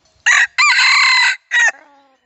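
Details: A single red junglefowl crow for Bluetooth speaker playback: a brief first note, a long harsh drawn-out middle and an abrupt short ending, with a faint fading tail after.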